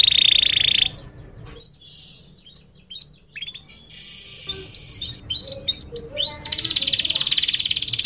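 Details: Atlantic canary lure song used for training young canaries: a high dense trill, a pause, then rapid repeated chirps and whistles around four kilohertz ending in a sustained high buzzy roll.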